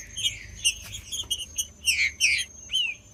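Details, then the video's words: Green-winged saltator song used by keepers to stimulate and warm up a bird: slurred whistled notes falling and rising, clustered near the end, among rapid high chirps and clicks, with a steady high whine throughout. "TRINCA FERRO CANTANDO"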